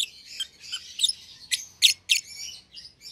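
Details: Young lovebird pair, a euwing green opaline and a red-eyed albino, kept together in a pair cage after being seen feeding each other: high scratchy chirps and sharp squeaky notes in quick irregular bursts.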